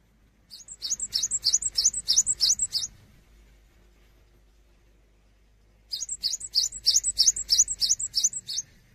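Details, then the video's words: Singing cinereous tit recorded as tutor material: two long bursts of rapid, regular, high two-note phrases, a bright chip then a thin whistle, about three per second, separated by a few seconds of near silence. "GELATIK BATU GACOR UNTUK MASTERAN"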